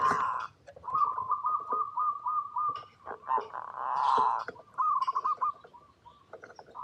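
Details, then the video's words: Zebra dove lure song, local perkutut gacor style used to make other doves sing: a brief burst, then a long level line of rippling coos, a loud rushing noise, and another trilled cooing phrase. "Perkutut Lokal Gacor RAJA PIKAT Paling AMPUH | SUARA Bikin Semua Burung Perkutut Langsung Nyaut"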